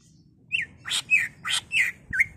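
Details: Greater green leafbird, a caged bird singing agitatedly as a lure to provoke others: clear whistled slurs near the upper range alternating with harsh, broadband rasping bursts, about five notes over two seconds, faint low hum beneath.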